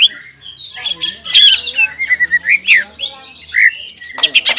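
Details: Caged greater green leafbird in full ngobra and jamtrok song, stirred by breeding arousal: squawky harsh notes mixed with clear whistled slurs rising and falling, bursts of rapid chatter at the end.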